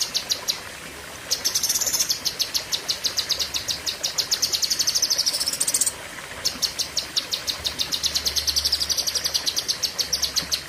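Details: Long 'pedes panjang' song of a cucak kinoi leafbird: extended trains of fast, piercing high notes, with a brief break around the sixth second before the song resumes.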